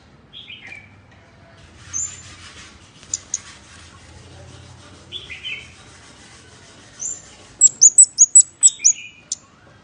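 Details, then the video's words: Scarlet-backed flowerpecker lure call: scattered thin twittering and high notes, building into a fast run of about eight sharp, very high ticks at the close. "Suara Pancing Burung Cabean merah | Burung Cabai Merah | Sepah Puteri | Chirp of Birds / Chim Ốc Mít"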